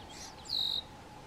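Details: Red-winged blackbird defending its nest against a white-tailed deer standing right in front of it: a single high, thin whistled note held steady for about a third of a second over a faint background hum.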